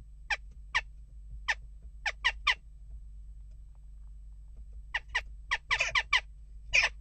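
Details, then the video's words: Scattered short sharp calls from western jackdaws during unrest at the nest box, a quiet stretch midway, then a denser cluster of harsher overlapping notes. "Onrust blijft door--kauwen"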